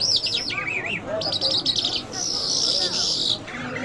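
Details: Mashhadi jal, an Iranian lark, singing a wavering whistled phrase, then a stuttering rattle, then a long, steady, high buzzy trill lasting over a second, before breaking off.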